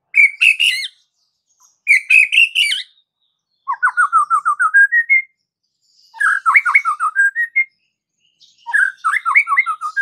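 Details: White-rumped shama song used to stir other shamas into aggressive singing: bursts of harsh, high chattering alternate with runs of quick repeated whistled notes that climb in pitch, phrases separated by short silences.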